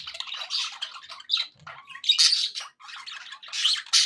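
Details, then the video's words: Short burst of happy budgie chatter: choppy squawks, scratchy warbles and a brief pure whistle, in irregular clusters with short quiet breaks between them. "happy budgie sounds"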